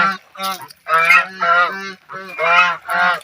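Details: Geese at play in water trumpet a steady run of nasal honks, several long and overlapping, with brief gaps.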